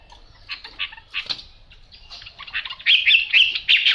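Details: Chinese hwamei with yellow bill and yellow legs singing: scattered squeaky chirps and short notes at first, building into louder, harsher rapid warbled phrases in the second half.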